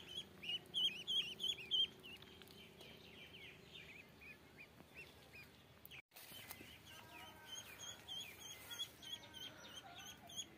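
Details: Ducklings giving high, thin peeps in quick bursts, loudest over the first two seconds, then softer and scattered amid faint background hiss.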